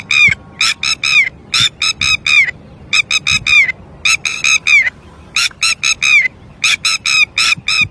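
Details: Agitated red-wattled lapwing that has lost its chick, giving strident, ringing notes grouped in rapid runs of three or four with brief pauses, the final note of each run drawn out and falling, against a quiet, low rumbling background.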